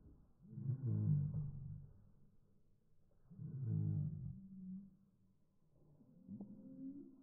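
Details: Heritage turkeys from a homestead flock, played in slow motion so they sound like whale calls: three deep, drawn-out groaning calls about three seconds apart, the last ending in a rising, sliding tone.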